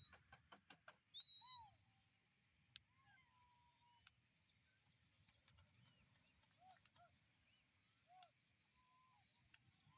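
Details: On a rice farm, a dense, continuous high chatter of many quelea calling together, with a brief clear whistle near the start and scattered lower, slurred notes from other birds.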